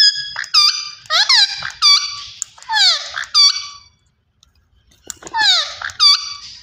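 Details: Green ringneck parrot vocalising indoors: loud, harsh, ringing notes in quick bursts, many with steep downward slides, grouped into three runs separated by a short silence before the last burst.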